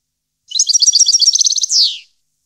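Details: A single European goldfinch song phrase recorded in 2015: bouncy high twittering notes speed into a tight trill, then finish with a harsh falling buzz, with silence before and after.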